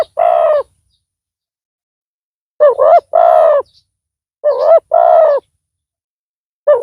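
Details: Loud-voiced spotted dove decoy luring a rival bird: coarse, strongly buzzy coo notes in pairs, a long silence, then two more pairs and the start of another.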